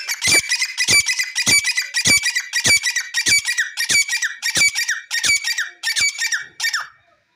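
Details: A grey francolin, the jungle teetar, calls loudly in a steady series of harsh, grating notes, about one every two-thirds of a second for seven seconds, then stops.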